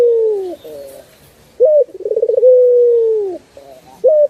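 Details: Turtle dove (burung puter) in a master recording used to train birds. Low mellow coos: a long falling tone, a short flicked note, then a rapid throaty pulsed roll running into a drawn-out steady coo that dips at the end, followed by another quick rising note.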